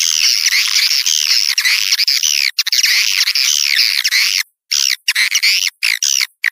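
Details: Swiftlet calling used to draw in outside swiftlets: an almost continuous stream of harsh, buzzy chattering notes with wavering pitch, breaking into short bursts near the end.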